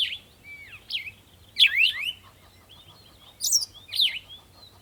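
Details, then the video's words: Chirping birds in the morning at sunrise: scattered sharp, descending chirps with wavering tails, several bursts over about five seconds, plus soft pulsed ticking and a low hum in the background. "Morning Sunrise and Birds sound"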